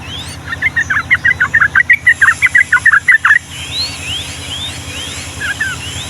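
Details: Long 'ropel' song of a yellow-vented bulbul in the Ngombak Banyu style, used as a tutor for young birds: some twenty quick bubbling notes for three seconds, then softer upslurred whistles from another bird.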